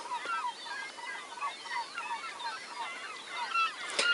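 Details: A dense chorus of many gulls on an island with lots of seagulls, the former mine site known as Seagull Island, at sunrise. Overlapping harsh, wailing, downslurred cries, with a brief knock near the end.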